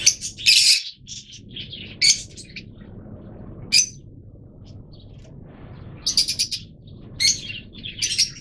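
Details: Yellow-mutation Fischer's lovebirds (Agapornis fischeri) call with sharp, shrill chirps and screeches in short bursts every second or two, over a low steady background hum.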